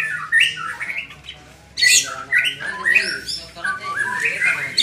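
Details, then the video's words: Young white-rumped shama in training, producing dense warbled and harsh squawky phrases with slurred whistles, loud and continuous after a brief lull, over a low background hum. "Melatih Mental Murai muda"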